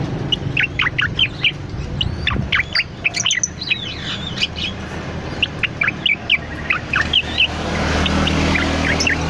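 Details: Cucak loreng bulbul chattering busily, a recording meant as a master or lure; quick bright chirps and slurred whistles tumble out continuously over a faint low background hum.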